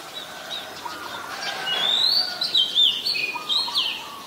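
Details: Oriental magpie-robin, a very common resident, singing in Ubon Ratchathani, Thailand, on 14 October 2021, recorded with a Nikon P1000: bright, sliding whistled phrases rising and falling over a softer background of lower chirps.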